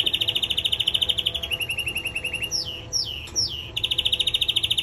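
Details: Male canary, in song training, runs a rapid pulsing trill that steps down in pitch, breaks into three sweeping downward slurred whistles, then returns to the fast rolling trill.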